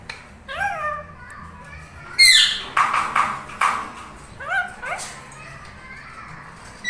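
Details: Pair of tamed Indian ringneck parrots, one lutino, kept as pets and bonding and talking; short falling chirps repeated in small series, broken by harsh, loud screeches in the middle.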